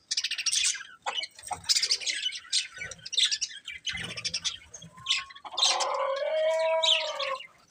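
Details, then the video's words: Budgerigar breeding pair chirping: irregular scratchy high chatter bursts, then a longer warbled phrase with clear steady tonal bands near the end. "Colourful Budgies Chirping Sounds | Love Birds Breeding Pair"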